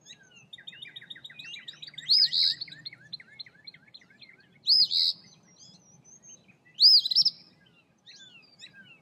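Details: Eastern phoebe on March 14, 2024 gives three loud, raspy, arched notes about two seconds apart, high-pitched; a fainter rapid twittering series runs underneath at the start.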